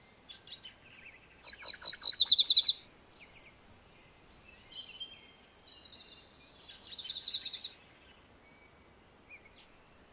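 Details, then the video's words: MacGillivray's warbler delivering a loud, rolling phrase of quick high chips, followed some seconds later by a softer, similar phrase, with scattered faint notes in between. "MacGillivray's Warbler Song ! MacGillivray's Warbler Sounds ! MacGillivray's Warbler Call"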